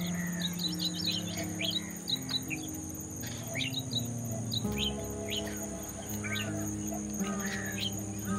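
Striated babbler giving quick, chattering chirps and short sharp notes in scattered bursts, over steady background music and a high insect-like hum.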